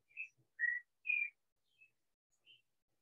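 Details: Clay-colored Thrush (Turdus grayi), Costa Rica's national bird, sings in the background at Pierella Ecological Garden, Horquetas de Sarapiqui, Costa Rica: a few clear whistled phrases, some slurred, some falling, about half a second apart.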